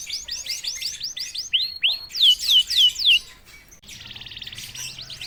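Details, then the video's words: A canary prompted to sing gives a run of repeated falling-then-rising sweeps, several louder descending whistled strokes, then a softer buzzy rolling trill. "KENARI GACOR||060|| Sekali pancing kenari diam langsung bunyi."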